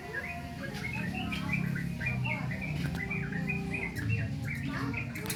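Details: Juvenile sooty-headed bulbul practising song, giving a loose string of quick upslurred chirps and twittery notes with irregular spacing, backed by a loud low droning hum.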